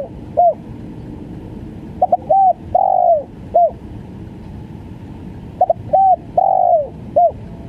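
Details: Spotted dove repeating its stuttering 'gagap' call about every four seconds: stammered double note, short coo, long falling coo and a short final coo, soft and hollow, with faint background hiss.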